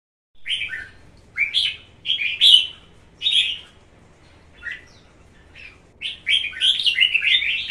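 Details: Caged Red-whiskered Bulbul, a 'cóc' bird of one and a half seasons, hopping energetically and singing competitively: short bright warbled phrases, rising and falling, separated by pauses, ending in a faster run of chirpy notes.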